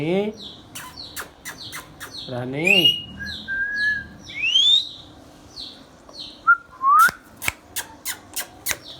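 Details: Pet ringneck parrot mixing whistles with voice-like chatter: a wavering throaty phrase, level and rising whistles, then a rising sweep followed by a rapid series of sharp clicks.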